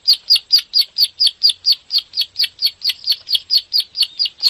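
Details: Bar-winged prinia, a rice-field cage bird from Indonesia whose song is played to spur other caged birds into singing; sharp high clicking notes repeated steadily about twice per second throughout.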